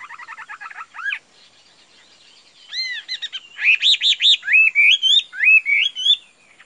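A Chinese hwamei sings loud, varied phrases: a fast chattering trill, then clear slurred whistles repeated three or four times, rising and falling in pitch.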